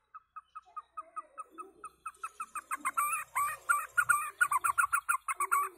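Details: White-rumped shama singing loudly: a steady string of short, evenly spaced notes that speeds up and swells into a louder, richer chattering phrase.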